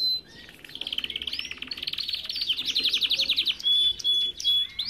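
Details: Belgian canary singing in an aviary: rapid rolling trills and buzzy repeated notes, mostly high-pitched, with short clear whistles near the end and other birds chirping alongside.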